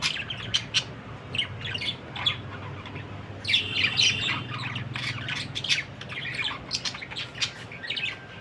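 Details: Budgerigar giving continuous squawky chatter, short scratchy chirps and squeaks tumbling over one another, louder clusters near the middle, over a low steady background hum.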